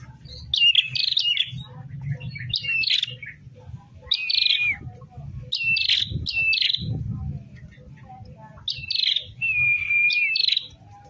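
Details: Tame prinia in full voice, giving separated bursts of sharp, buzzy high chirps roughly every two seconds, one ending in a drawn-out whistled note, with quiet gaps and faint low background noise.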